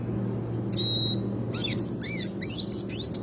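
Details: Classic Red Siskin giving a rolling song, used as a master recording for training other birds: a short pause, a thin high whistle, then rapid buzzy twittering notes sweeping up and down over a steady low hum.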